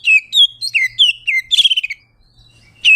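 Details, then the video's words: Oriental magpie-robin, singing 'ngeplong' to call a rival: a string of loud downslurred whistles, a quick stuttered burst near the middle, silence, then one last whistle; a low hum runs underneath. "Suara burung Kacer ngeplong memanggil lawan bikin emosi"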